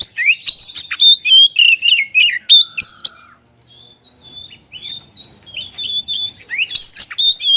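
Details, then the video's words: White-rumped shama song for stimulating other birds to sing: three seconds of rapid whistles and clicks, a softer lull with scattered faint notes, then the loud varied phrases resume. "KACER GACOR!! Untuk merangsang bunyi burung bahan"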